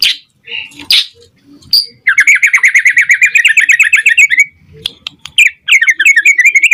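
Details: White-rumped shama song played to make other shamas respond and sing: a few scattered notes, then a long rapid trill of repeated buzzy notes lasting over two seconds, followed by more quick repeated phrases.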